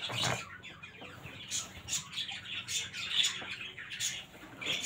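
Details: Budgerigars give chatter calls, bursts of high, scratchy chirps and squeaks in quick, irregular succession.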